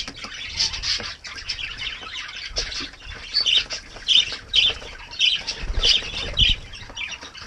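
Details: Kākāriki bathing on a mild winter morning give short, high chattering notes in a quick run of about eight, roughly every half second, over splashing water and soft knocks.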